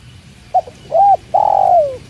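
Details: A tekukur (spotted dove) starting its call by water: a quick double note, an arched mellow coo, then a long burry coo gliding downward, with soft water noise in the background.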